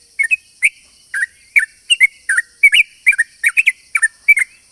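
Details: Sooty-headed bulbul singing energetically, used as a lure to draw other bulbuls: a continuous run of lively, bubbly two-part chirps, rising and falling, about three per second, with a faint steady whine behind.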